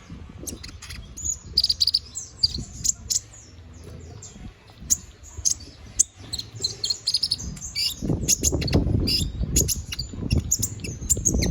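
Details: Canary singing in the energetic 'gacor ngobra' style, used as a master song for training magpie robins: high, sharp chirps and short trills come in bursts, over steady low rumbling background noise that grows louder toward the end.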